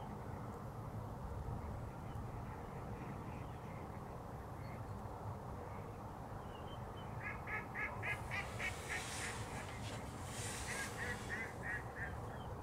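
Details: Smew at De Banen, 2 January 2013, giving rapid bursts of short, clipped nasal notes, roughly three per second, grouped in spurts in the second half, with splashing water and a steady low rumble behind.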